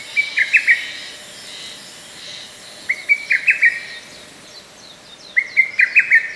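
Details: In a forest park on 15 May 2024, a lesser cuckoo delivers three bursts of rapid, clipped notes separated by pauses of about two seconds, with soft high calls of other birds in the background.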